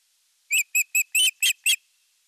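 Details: At a Finnish osprey nest in Satakunta, July 2022, with the male bringing a large fish, six sharp whistled chirps sound in quick succession, one slightly longer, before the clip falls silent.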